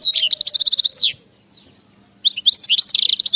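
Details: Khalawi song of a European goldfinch: two quick phrases of fast, jingling, high-pitched twitters and buzzy trills, the first ending in a falling slur, with a brief silent pause between them.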